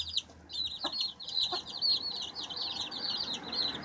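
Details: Baby chicks pecking and scratching, peeping almost nonstop in shrill, quick notes, with two clear pecking taps early on.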